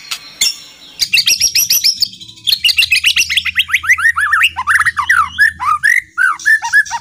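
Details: White-rumped shama in loud kretekan burst, recorded 24 January 2023 to provoke other birds: rapid ticking series sliding into fast repeated whistled upslurs and downslurs, rich and varied, with a low hum beneath.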